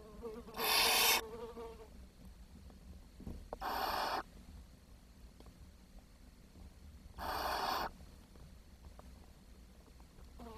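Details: Barn owl chicks at the nest on 10 June 2023, after the youngest died because too little food was brought. Three rasping hisses, each about half a second, come at uneven intervals over quiet background.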